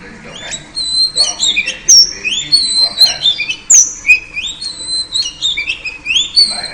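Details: Oriental magpie-robin, a female calling to lure a male: a varied sequence of whistled rising and falling notes with a few piercing high slurs, over faint constant background rumble.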